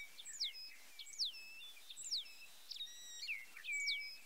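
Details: White-browed meadowlark singing: sharp, clear whistles sweeping steeply downward from high to mid pitch, repeated about every second, with a few level whistled notes and short tones in between over quiet background hiss.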